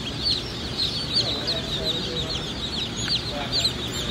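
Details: Black Australorp chicks at a hatchery, many together, keep up a continuous chorus of high, thin peeps with short downward-sliding notes overlapping throughout, over a steady low rumble.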